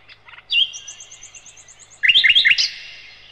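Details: Loud song of a nightingale, called sikatan londo, recorded as a master for teaching cage birds: a high ringing trill followed by a burst of quick rising and falling whistled notes.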